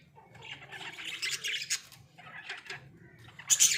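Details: Pet Australian budgies in a small cage, enjoying themselves: bright, scratchy chirps and warbled chatter in quick bursts, pausing briefly near the middle before a louder, harsher burst at the end.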